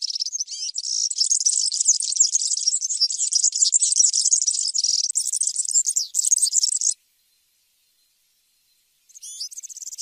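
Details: European serin singing: a long, fast, jingling high-pitched twitter of tightly packed buzzy notes running for about seven seconds, then a pause of two seconds before another burst of the same glittering song begins.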